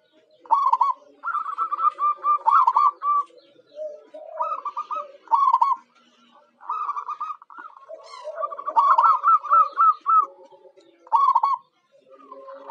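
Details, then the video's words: Local zebra dove (perkutut) song used as a lure to draw wild birds: rolling, trilled cooing phrases repeated in quick bursts with short pauses, softer lower coos running underneath, possibly from more than one bird. "Suara Perkutut Lokal Jagoannya Pancingan"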